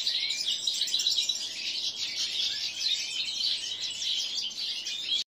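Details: Linnet-canary hybrid song from seven-month-old cage birds kept with major goldfinches: rapid, high, overlapping twitters and short slurred notes running steadily, ending abruptly.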